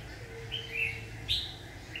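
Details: Red-whiskered bulbul at a trapping session sings short clear whistled notes, a slurred falling phrase followed by a sharp higher rising whistle, with a faint steady tone and low hum beneath.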